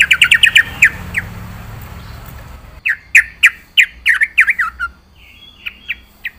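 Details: Yellow-vented bulbul in lively full-isian singing. A fast burst of sharp chirps is followed by a short gap, then a steadier run of loud, clipped, bending notes about a third of a second apart, ending in softer scattered chips.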